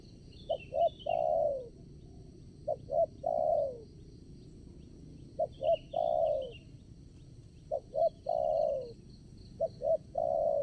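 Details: Spotted dove used as a decoy to lure wild doves for trapping at a new site; low cooing phrases of two short notes then a long falling coo, repeated about every two and a half seconds over a steady high insect drone.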